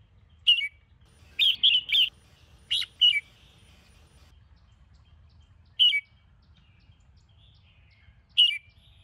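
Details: A red-whiskered bulbul in morning training song: clusters of sharp, bright chirped notes early on, then isolated single chirps spaced several seconds apart, with a low steady hum behind.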